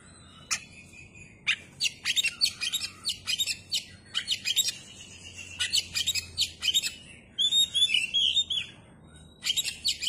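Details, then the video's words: Kacer, the Oriental magpie-robin, in full song with its tail fanned. Short whistles and harsh, rattling bursts alternate in quick succession, with a sweet warbled passage near the end. There are brief pauses between phrases. "kacer gacor dor ,kacer gacor buka ekor"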